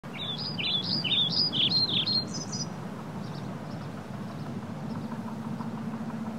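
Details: Young scrub jays, hosted with their parents in May 2021, give a quick run of about a dozen high, thin, down-slurred chirps over nearly three seconds, then fall quiet beneath a steady low engine-like hum.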